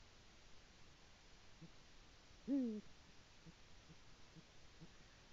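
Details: Male Eurasian eagle-owl arriving at the nest and calling his mate, filmed on a nest live stream on 22 February 2018: a single short, low hoot that dips slightly in pitch, against a steady background hiss.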